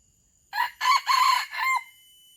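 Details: Red junglefowl decoy bird from Aceh, used to attract wild birds, delivering a single four-part crow, short lead note, two long rasping notes and a brief final drop, in near silence.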